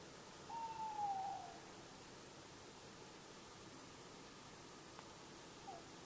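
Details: Tawny owl calling at night in August in Bergen, North Holland, Netherlands, approaching from a distance: one drawn-out hooting note sliding slightly downward, then a faint short echo of a call a few seconds later, over quiet night hiss.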